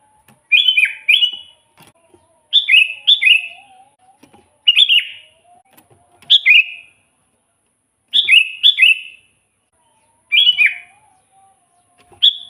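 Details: Sooty-headed bulbul, used as a lure and tutor for birds that seldom sing; steady run of paired bright chirps, each falling in pitch, in groups about every two seconds, with faint low hum beneath.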